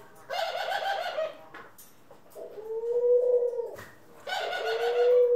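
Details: In a home flock of ringneck, Senegal and hybrid pet doves, April 25, 2021, a low level coo sits between two bursts of harsh, rasping, rolling calls, ending on another drawn-out coo.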